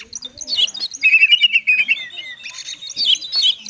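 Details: Oriental magpie-robin, konslet song used as a lure for birds that will not sing: bright chattering notes lead into a sustained warbled trill, then a falling whistle and more fast twittering.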